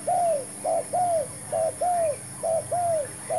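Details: Spotted dove used as a decoy while trapping, with a new bird brought and a new trap tried; cooing in pairs, a short clipped note then a longer downward-arching note, repeating about every 0.8 seconds over a steady high whine.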